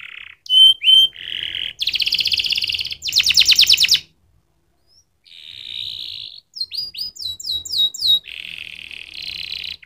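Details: Canary singing in loud bright phrases: whistled notes, fast buzzy trills, and rapid repeated rising chirps, separated by a short pause near the middle.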